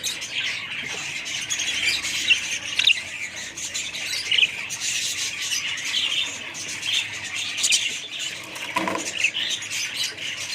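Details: Budgerigars in a family flock twittering constantly, mixing squeaky chirps and harsh squawks, with several louder calls briefly poking out of the dense background chatter.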